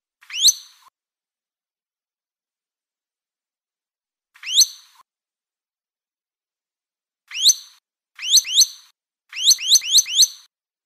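Madi injap gives sharp, high, sweeping whistled notes, first singly with long gaps, then in quick bursts of two to four. No other sounds.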